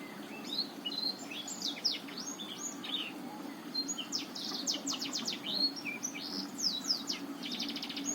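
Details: Black-throated canary of the Botswana type, a recording used as a lure to prompt a reluctant male to sing: a fast, varied stream of high chirps, sweeping slurs and short rattling trills, almost continuous, over a steady low hum.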